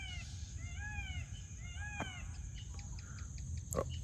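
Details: In rural countryside at Sam Roi Yot, Thailand, many peafowl call back and forth, giving loud, nasal, arching wails in two quick bursts of several notes, followed by scattered clicks over a steady low rural rumble.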